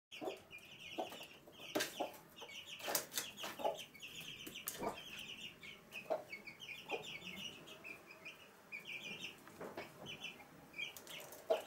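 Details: Hen with her chicks in a room of a house at Sandoval de la Reina, April 2016: a chorus of thin high cheeping chicks over scattered soft low clucks from the hen, with occasional sharp knocks.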